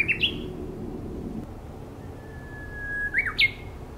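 A bush warbler sings a long, level whistle that breaks into a quick, rising, explosive flourish, after a couple of short high notes; faint low rumble underneath.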